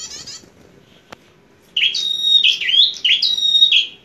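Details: Bar-winged prinia, an aggressive, fighting-spirited bird in full voice: after a brief faint chatter and a pause, loud strident buzzy phrases burst out, sharp whistled notes with rasping trills, repeated in quick succession.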